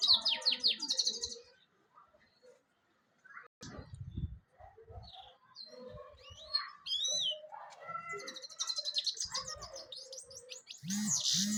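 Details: European goldfinch song in separate bursts: fast high twitters at the start, a pause with faint low thumps, scattered chirps, then lively twittering returning over the last four seconds.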